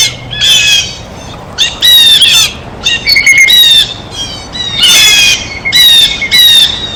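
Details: At a feeder, a feeding blue jay repeats rough, nasal squawks about every second, roughly seven harsh bursts, some doubled, over a thin steady tone in the background.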